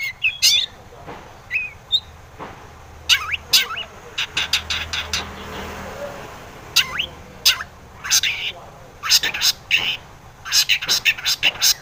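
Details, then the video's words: Long-tailed shrike song meant to lure rivals into answering, scattered harsh chattering bursts and brief whistled slurs with quieter gaps, a soft murmur of background noise in the middle. "KICAU SUARA cendet gacor RAJA PIKAT ini RAJANYA BIKIN NYAUT pentet lain"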